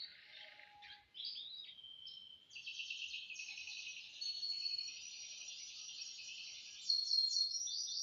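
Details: Canary song practice on Thursday morning, 18 December 2025, one of two canaries kept together: a continuous high, twittering song with rapid rolled trills and brief whistled notes, rising slightly louder near the end, with no other clear sounds.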